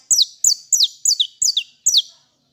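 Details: Saffron finch singing, kept by a bird keeper: six bright, high notes, each sweeping sharply downward, given at a steady pace about three per second, with nothing else heard.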